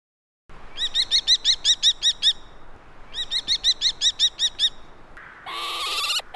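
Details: Common kestrel (Falco tinnunculus) giving two quick runs of about nine high, sharp kee notes each, separated by a short pause, followed by a brief rush of noise.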